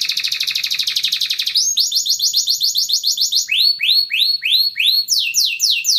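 A canary sings in quick-changing tours: a fast buzzy trill, then a run of bright rising chips, slower swooping whistles and high clipped notes.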